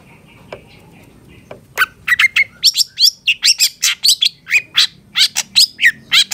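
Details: Long-tailed shrike tutor song for caged birds: a few quiet notes, then a dense run of loud, varied chirps, whistles and scratchy rasps delivered rapidly and almost without pause.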